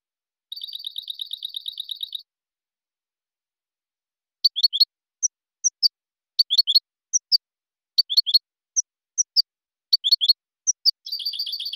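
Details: European goldfinch song for silvestrismo: a rapid tinkling trill, then scattered sharp single and clustered chirps at irregular intervals, then another fast trill at the end.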